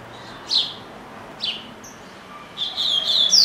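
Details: Double-collared seedeater kept as a caged pet: a couple of isolated sharp chips, then a building phrase of fast, clear whistled notes climbing into a loud high sweep, with a faint hum in the background.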